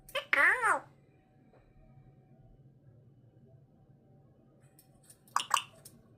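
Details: A pet female African grey parrot, prompted by its owner to talk and say hello, speaks a short, speech-like phrase, then adds a brief second utterance after a pause.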